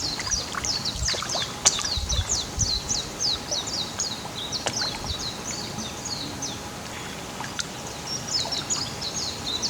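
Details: A Japanese white-eye sings in spring to early summer, a fast, high, twittering chatter of thin chirps that runs without pause, over a low rumble of background noise.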